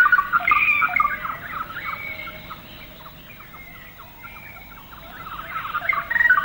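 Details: Greater racket-tailed drongo in Malayan rainforest, late 1950s to early 1960s, giving clear melodious song and imitations of other birds: a varied run of ringing whistles and short metallic notes, busy at the start and end, quieter between.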